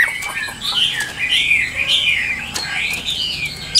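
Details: Continuous warbling of a Chinese hwamei of the 'Tam Hoàng' type, a bird offered for sale, a wavering stream of mid-high whistled notes over steady background noise.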